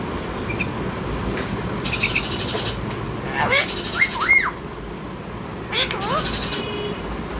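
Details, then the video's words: Blue talking parrot calling "Mithu Mithu": quiet start with soft noise, then a cluster of arched whistled notes rising and falling, one louder than the rest, a later dipping note, under continuous hiss. "talking blue parrot | funny parrot Calling Mithu Mithu | parrot natural sound & talking"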